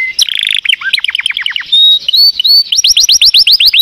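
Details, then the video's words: Singing canary running through a rapid medley of descending slurs, sustained high whistles and a final series of fast rising sweeps, each repeated several times per second. "تغريد كناري Chant Canaris singing canaries"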